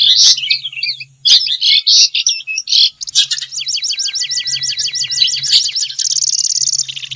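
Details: Long-tailed shrike singing in its natural habitat: loud harsh chattering bursts, then a rapid run of repeated sharp notes and a high buzzing trill, like mimicry of other birds, over a faint low hum.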